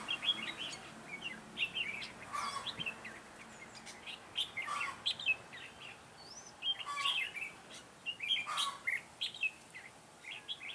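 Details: Red-whiskered bulbul decoy bird used in a trap to lure wild birds, recorded 9 June 2017 in Vietnam. Lively, warbled chirping phrases rise and fall, repeated densely throughout, with a few brief noise bursts.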